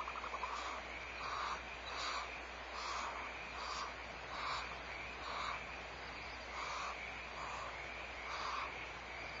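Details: A barn owl at Audubon Starr Ranch Sanctuary, recorded February 2011 as the mother owl returns, gives hoarse, breathy hissing bursts about once a second over a steady background hiss.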